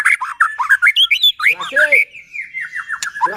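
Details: White-rumped shama song to provoke other shamas: quick run of rising and falling whistled notes, a brief harsh chatter, then a sliding descending series of clear notes.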